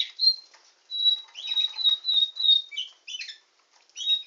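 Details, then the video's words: Canary song: bright, varied phrases of clear whistled notes, short buzzy bursts and quick chirps, delivered in rapid bursts separated by brief pauses. "Nightingale singing canary"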